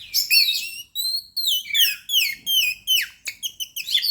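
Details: White-rumped shama (kacer) singing lively lure song: a fast varied stream of high whistled phrases, rising and falling slurs and short sharp notes in quick succession, with no other sounds noticeable.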